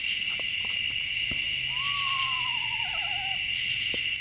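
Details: Around midnight at a mountain tarp campsite, about 50 degrees, an Eastern Screech-Owl gives one horse-like whinny, a quavering trill sliding down over about two seconds, over a steady high drone of night insects.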